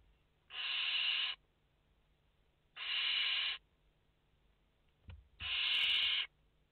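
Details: Live nest camera on five barn owl chicks, 29 August 2021: three evenly paced raspy hisses, each nearly a second, with a brief click and knock before the last.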